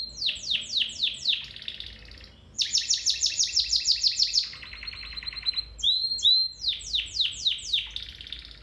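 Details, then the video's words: Domestic canary in song for training a canary: a few steep falling notes, a quick high rattling roll, a lower buzzy trill, brief whistled slurs, then more descending sweeps repeated about three per second. "Canary Singing"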